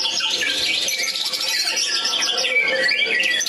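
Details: White-rumped shama recorded in Medan, North Sumatra, pouring out a busy, jumbled song of sharp chirps, short whistles and harsh squawky notes, packed closely together at a hurried, uneven pace.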